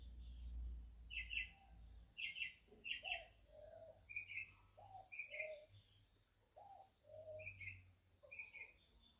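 A young American robin gives short, repeated chirping calls roughly every second, some with a lower second note, over faint background hiss.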